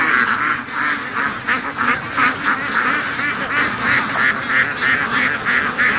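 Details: Raised free-range ducks rushing out on a Sunday morning, quacking in a fast, fairly even stream of harsh nasal calls from many birds at once.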